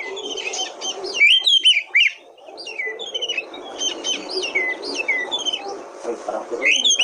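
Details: Oriental magpie-robin singing, used to spur other birds into song: varied whistled notes, fast chips and slurred phrases tumbling on continuously, with quieter stretches, over a steady low background murmur.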